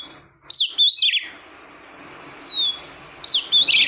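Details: A female oriental magpie-robin calls to stimulate the male: two bursts of whistled slurs and short trills, separated by a pause of about a second, with soft background hiss.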